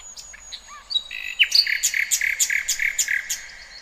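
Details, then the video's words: Birdsong in the wild, starting with soft scattered twitters, then a fast rhythmic sequence of roughly eleven bright chirping notes, delivered about five per second. "Kicauan Burung Cerminkan Suasana Damai"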